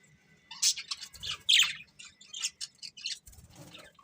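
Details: Pet budgerigars, described as happy while eating; scattered sharp chirps and squawky notes in bursts over a quiet low hum, a few louder calls standing out.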